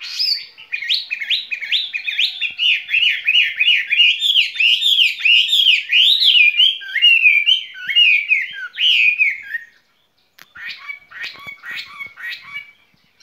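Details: Caged skylark singing a long, fast warbling song of rolling, slurred high notes for about ten seconds, followed by a brief pause and a few softer scratchy, chirped phrases.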